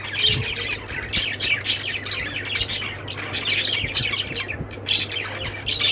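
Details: Budgerigars chattering, lovebirds also mentioned: bursts of shrill chirps and squawks roughly every half second, overlapping calls from several birds, faint low hum beneath.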